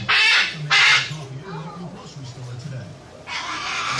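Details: Two loud, rasping parrot squawks in quick succession, a quieter stretch with low hum, then a longer, fainter harsh screech at the end.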